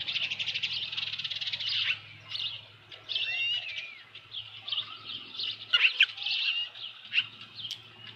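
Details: Osprey at the Dunrovin Ranch nest, 15 July 2018 at 7:55 PM, around a large headless fish: rapid high chattering chirps, then slurred whistled notes and sharp squeaks, over a low steady hum.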